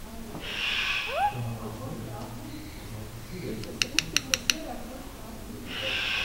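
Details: Black-collared starling kept at Almaty Zoo, Kazakhstan, on 19 February 2012: two harsh, raspy hissing bursts, one near the start and one at the end. Between them come a short rising whistle and five quick sharp clicks, in an indoor room.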